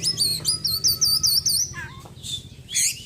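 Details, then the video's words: White-breasted caged Oriental magpie-robin in daily care after moulting, singing a song full of small-bird imitations. Very high, rapid rolling trills and wavering whistles are followed by a lower wavy phrase and bright chirps. "KACER GACOR ISIAN BURUNG KECIL PEDES"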